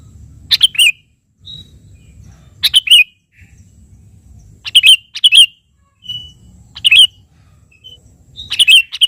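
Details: Sooty-headed bulbul singing vigorously to call a rival, used as a lure for other birds: short bright chirpy double phrases repeated about every two seconds, with faint thin whistles between and a low rumbling hum in gaps.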